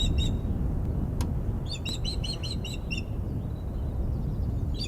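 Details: Female osprey at the Glaslyn nest on 14 April 2021, upset as an unringed male lands on the nest perch: brief sharp chirps, then a quick run of high whistled yelps lasting about a second, more at the end, over low rumbling background.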